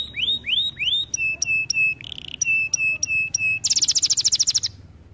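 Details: Canary song meant for training. Three upward-sweeping whistles, a series of steady ringing notes separated by a short buzz, then a quick high trill that stops abruptly.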